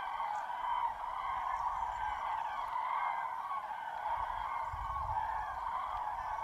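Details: Common cranes by the hundreds at a massive roost in Tablas de Daimiel National Park, Spain, during an icy, misty dawn in mid-January, greylag geese and common teal among them. Their trumpeting calls blend into a continuous, layered chorus without pause.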